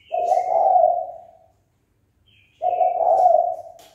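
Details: Spotted dove calling to provoke a rival male into fighting: two long, steady, low hooting coos, each about 1.4 seconds, separated by a pause of about a second, with faint higher bird notes in the background.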